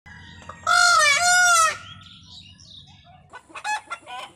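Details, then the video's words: Indian peafowl gives one loud, ringing, two-part wail lasting about a second, then softer brief calls a couple of seconds later over a faint low hum. "Peacock sound compilation | मोर की आवाज | Mor ki aavaj"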